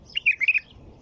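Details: White-eared bulbul song: a crisp run of four or five rapid warbled notes, bouncing up and down, loud and clear against a quiet background.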